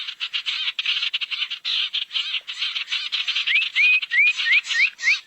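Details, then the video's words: Barn owl calls used as a lure to draw owls together: harsh, hissing screech bursts repeated in quick succession, ending with a run of short rising whistles. "SUARA PIKAT BURUNG SIRTU NGUMPUL"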